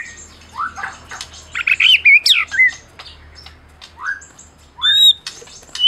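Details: Medan white-rumped shama sung to trigger mute shamas: scattered rising whistles and a brief burst of warbled notes among quiet gaps, with a faint low hum beneath.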